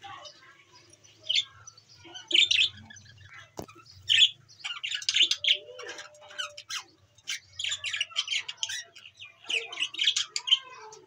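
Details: New colour budgerigar parrots in a playground setup, Larkana, Sindh, 17 April 2024. Continuous high twittering with sharp squawks and chirps repeated in dense runs, plus a soft low hum in places.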